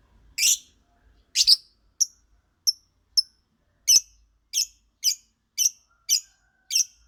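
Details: Lovebird singing: a series of sharp, shrill chirps, two long rough bursts followed by shorter bright notes about every half second, in a quiet setting.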